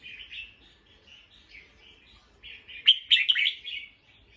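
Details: Alarm calls of an alert bulbul that has heard a sound. Softer warbled notes lead into a loud, scratchy, stuttering burst of several quick notes near the end, while background birds twitter faintly.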